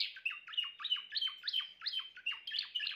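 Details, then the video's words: A Timbrado canary sings a rhythmic string of identical short syllables, each a thin whistle dropping sharply in pitch, repeated roughly three times per second, with a clean, quiet background. "chant canari timbrado l meilleur chant canari l اقوى تغريد كناري"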